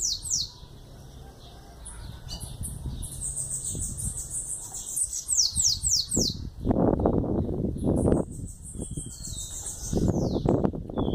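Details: Eleven-month-old bananaquit singing high, thin, rapidly repeated down-slurred notes and twitters, with loud low knocks and handling noise breaking in during the second half.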